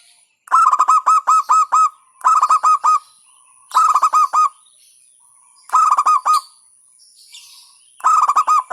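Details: Local zebra dove giving a 'hentakan' beat song: five separate bursts of four to seven quick, clipped cooing notes, each burst about two seconds apart with quiet gaps between, and a faint steady high whine throughout.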